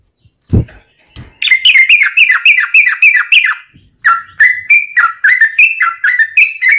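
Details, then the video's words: Sooty-headed bulbul, a lure song to set other bulbuls singing: after a low thump, loud fast runs of bright chirpy notes, each note dipping then rising, about three or four a second in two long bursts. "trucukan gacor ROPEL PANJANG buat pancingan trucukan agar bunyi"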